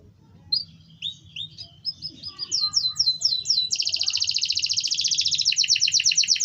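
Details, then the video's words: Canary song serving as a lure for other canaries, including breeding females: soft scattered chirps build into repeated upslurred notes, then a long loud rapid trill changing to lower pulsed notes. "pancingan kenari ampuh wit wit werrr ngerol kenari mana yang diam setelah dengar suara kenari ini"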